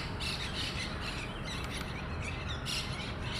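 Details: Monk parakeets calling at their communal colony nest in Pasir Ris Park: a string of short scratchy squawks, evenly spaced early then a sharper burst near the end, under heavy low background noise.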